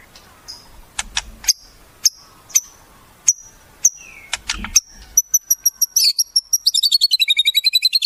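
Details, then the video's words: Wild-bird imitations sung by a white-rumped shama for tutoring captive birds: spaced sharp ticks roughly every half second, a brief falling whistle, then a very high, fast, tinkling trill that speeds up toward the end. "Masteran Murai, Isian Burung Alam Liar"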